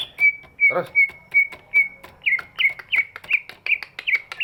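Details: Big greater green leafbird's song, used to spark singing in quiet birds: level pure whistles at first, with one short interrupting sound, then a quicker series of looping, hooked notes.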